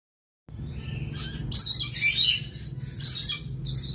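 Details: Lorikeet recorded as a training track: after a short silence, harsh, shrill screeches sound in rough bursts, loudest around the middle, over a low steady hum.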